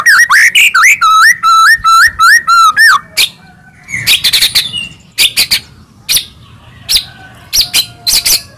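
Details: Long-tailed white-rumped shama from Medan singing a fast series of looping whistled notes, then scattered harsh clicks and bursts with quiet gaps between.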